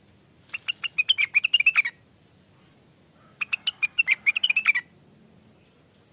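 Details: Greater green leafbird song used to lure birds: two bursts of rapid, ringing whistled notes, each about one and a half seconds long and about three seconds apart, over a faint background murmur.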